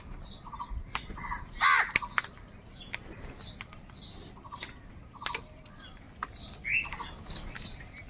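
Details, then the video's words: Crows fighting one another for food utter short, nasal caws spaced irregularly across several seconds, with scattered sharp chirps and clicks from other birds in the background. "Crows fight with each other for food | Crow sounds কাকের ডাক"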